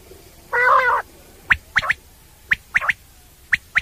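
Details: Common quail (batair) call for night hunting: a short nasal, harmonic croak, then crisp three-note whistled phrases, one note and a quick pair, repeated once a second.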